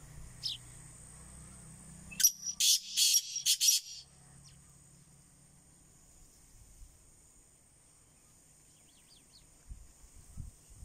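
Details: Black francolin, kala teetar, calling: one short burst of four or five loud, harsh grating notes lasting about two seconds, then near silence with faint distant sounds.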